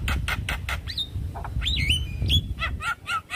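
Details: Javan myna responding in stress to another Javan myna's call, full isian: harsh buzzy bursts, then long sliding and wavering whistles, ending in rapid scratchy notes, with loud low rumble underneath.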